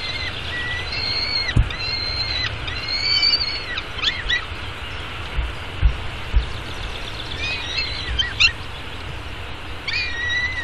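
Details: Baby peregrine falcon in a downtown Arizona nest, eating breakfast at 9:28 am on May 24, 2016; bursts of high, harmonic squealing calls, some sustained and some dipping, in clusters separated by pauses, over low city noise and soft knocks.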